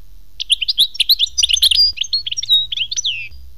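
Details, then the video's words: European goldfinch song described as khmis melyana: a fast, continuous jumble of high twittering, tinkling chirps and liquid trills, ending in a clear down-slurred whistle, with a quiet background. "chant chardonneret khmis melyana"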